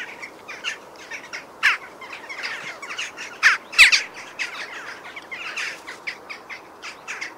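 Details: Jackdaw flock (Corvus monedula) in a busy chorus of overlapping squawky chak calls, a few louder close calls standing out against constant chatter from many birds.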